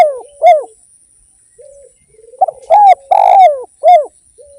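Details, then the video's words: Spotted dove, called derkuku in Indonesia, gives a hoarse cooing song. Arched coos come in a phrase of three, separated by soft low murmuring coos. "PANCINGAN BURUNG DERKUKU GACOR"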